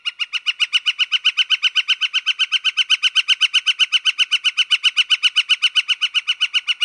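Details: A Northern Flicker in Wisconsin gives a long, steady series of loud, even kik notes, about four per second, with no pause and no other sounds.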